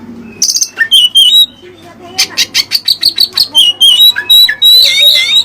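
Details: Oriental magpie-robin singing Cililin filler material: a fast series of sharp metallic chips and twittering whistles, strongly repeated about three times a second, then a rich warbled phrase.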